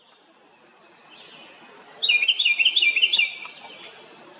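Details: House wren giving a loud call: two faint high thin whistles, then a rapid bubbling trill of about ten quick descending-rising notes lasting over a second, over quiet background.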